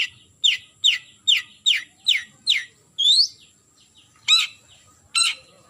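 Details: Long-tailed shrike calling a rival: six quick downslurred chattering notes, a rising slurred whistle, then two harsh rasping notes.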